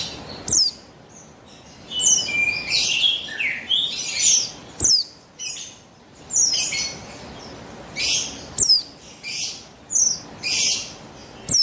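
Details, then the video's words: Female buxtoni Javan white-eye, calling to provoke males into song. A busy run of thin, high, downslurred chirps and brief buzzy notes, closely spaced and irregular, with short abrupt pauses. "Buxtoni Betina Memancing Bunyi Burung Pleci"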